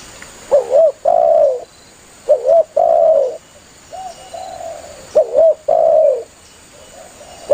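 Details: Calling its companions, a spotted dove gives repeated low phrases: a clipped two-note coo followed by a long, slightly falling coo, three times, with a softer coo in the gaps and faint background hiss.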